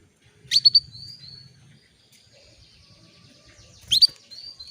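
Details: Female canary calling to stir a male into breeding condition: two bursts of sharp rising chirps, each followed by a thin drawn-out whistle, separated by a quiet gap with faint low rumbling.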